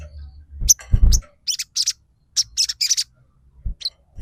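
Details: Bar-winged prinia in energetic song: a few spaced, sharp high chirps and short chattering notes, with low knocking thumps near the start and one soft thud later.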